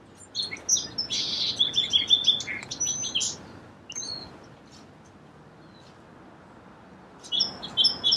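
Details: Song sparrow giving a full song of crisp notes, a dense buzz and quick trills, then pausing before starting again with high whistled notes.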